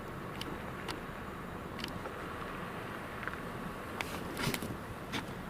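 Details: Steady outdoor rumble of passing vehicles with scattered brief clicks and taps, and no animal voice.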